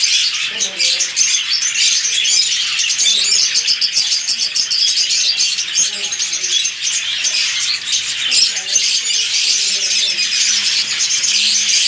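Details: Rosy-faced and Fischer's lovebirds, Agapornis roseicollis and Fischer's: a dense, continuous flock chorus of high, shrill chirps and chatter, overlapping without pause throughout, with faint low background sounds.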